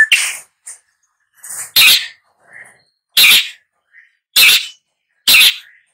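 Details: Long-tailed shrike uttering loud, coarse, sneezing rasps spaced roughly a second apart, with a few quieter short notes between them.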